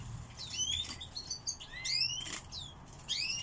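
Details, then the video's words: Song thrush kept as a pet bird, singing indoors: clear whistled notes sweeping up and down at high pitch, short phrases separated by brief gaps, with a few sharp clicks and rustles, possibly wing flutters. "Певчий дрозд"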